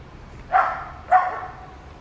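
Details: Yellow-headed amazon from Colombia looking for a nest to breed, uttering two loud, grating squawks about half a second apart, each trailing off, against a low rumble.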